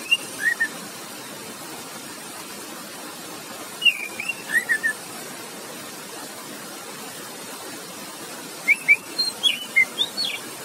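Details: An orange-headed thrush gives short, relaxed bursts of clear, high whistled phrases, three brief bouts a few seconds apart, over a steady roar of rushing water, meant to prompt thrushes that have stopped singing.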